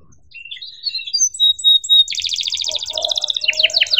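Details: Canary tutor song for young canaries, cuit-cuit emosi style: soft, thin whistled notes build into a dense, fast trill, then rapid sweeping chirps, with a faint lower warble underneath.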